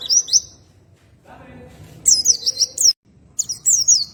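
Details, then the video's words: Oriental white-eye giving high, rippling chirp phrases in ngroll tembakan style, a long twittering run in the middle and a final burst, over a low background rumble. "PLECI NGROLL TEMBAKAN SANTAI || MASTERAN RELAKSASI PLECI BUNYI"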